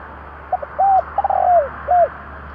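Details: Spotted dove in 'kích bổi' luring style. Short clipped notes lead into a long wavering coo falling away at its end, then one rounded closing coo over a steady low hum.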